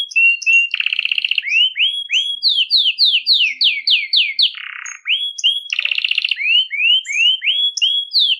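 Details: Belgian canary singing without stopping, meant for stimulating canaries and training chicks; whistles alternate with dense buzzy trills and runs of steep falling notes, repeated in phrases.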